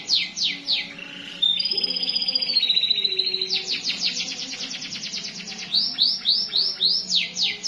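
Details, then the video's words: Canary singing a long rolling song: quick downward-swept high notes, a held whistled note, then a long fast, even trill of repeated notes, closing with more spaced sweeping notes over a faint low background hum. "Burung Kenari Gacor Roll Panjang"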